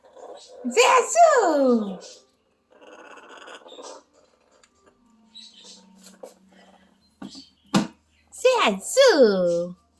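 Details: Parrot imitating a dog's growl indoors: a loud harmonic call bending downward, then a quieter throaty murmuring stretch, a low steady hum, sharp clicks, and finally two more arched, rich, descending calls close together.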